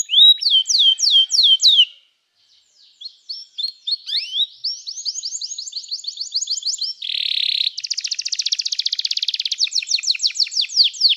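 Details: Training song of a canary: quick repeated upswept whistles, a short pause, then varied chirps building into a buzzy note. Rapid rolling trills close the phrase.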